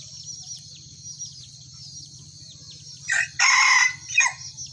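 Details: Kukuak Balenggek rooster, one of a red and a yellow bird crowing against each other in a single-cage contest; high thin chirps of small birds run throughout, then a short, loud, harsh crow breaks out in three bursts near the end.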